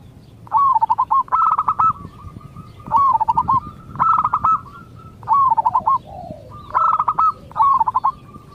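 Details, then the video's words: Local zebra dove singing to prompt other zebra doves to answer: a fast run of staccato cooing notes followed by a rolling trill, repeated about every 1.5 seconds in loud bursts, with a softer lower coo heard once. "Cukup Dengarkan Suara Ini Perkutut Lokal Bahan Anda Akan Nyaut"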